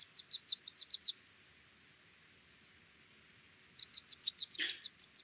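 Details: A Yellow Thornbill, nominate race, gives a quick run of thin, high, dry chips, about seven a second, then pauses before a slightly busier burst; background whistling may be a different bird.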